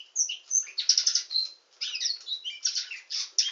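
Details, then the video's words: A canary pours out a fast, high song of sharp chirps, whistled notes and rattling trills, with a brief pause midway before the next phrases. "Nightingale singing canary"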